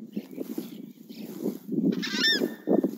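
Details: Southern screamer giving a loud, harsh honk with a bright harmonic note near the two-second mark, over a steady low rumbling and pulsing background.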